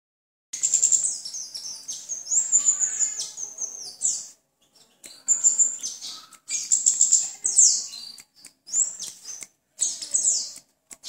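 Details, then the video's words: Songbird chirping in rapid bursts of high, thin tweets, clustered phrases separated by brief silences over about eleven seconds, with no other clear sounds. "BIRD CHIRPING NICE AND GOOD SOUND"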